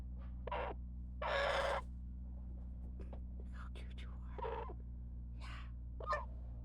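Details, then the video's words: A captive month-old baby raven, fed and tired at bedtime, gives a few soft, raspy, breathy calls in short bursts, one longer and harsher, while a person talks quietly over a low steady hum. "This Is What A Tired Baby Raven Sounds Like"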